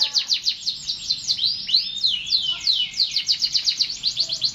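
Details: Continuous canary song: fast rolling trills of repeated high notes alternating with slurred rising whistles, steady and loud throughout.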